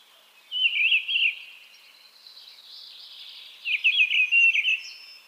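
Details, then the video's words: Mistle thrush singing: two short fluted, warbling phrases, high and rich, separated by about two seconds of quiet, with soft faint chatter in the gap. "Голоса птиц: деряба"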